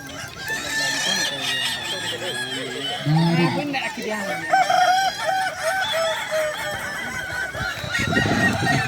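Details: Kukuak Balenggek roosters at a crowing contest in Danau Bawah on Sunday, 6 October 2024: several birds crow at once in long, wavering multi-note phrases, overlapping throughout, with a deeper harmonic crow near the end and faint voices in the crowd.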